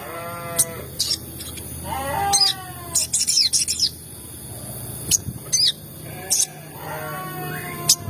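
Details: Crimson sunbird lure, meant to excite other sogon birds: clusters of sharp high chirps and quick twittering runs, mixed with lower wavering, drawn-out whining calls.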